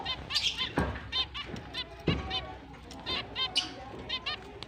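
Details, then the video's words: Finches at the start of their breeding and mating season, recorded October 29, 2023, giving happy chirping: a dense chorus of short nasal, harmonic chirps repeated several times a second from more than one bird, with faint voices and low background noise. "Finch is breeding start Mating Season, Happy chirping sound"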